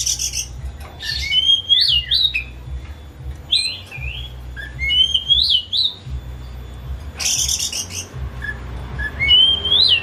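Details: Caged white-rumped shama, a house-kept hobby bird, singing as a lure to coax a silent shama into song: varied whistled phrases sliding and looping between mid and high pitch, with harsh buzzy bursts and a steady low hum.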